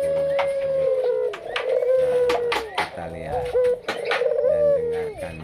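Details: A white-and-red breeding Barbary dove, with its female beside it, coos in long, steady, mid-pitched notes that sag at the end, repeated several times over sharp clicking, clapping and a man's voice.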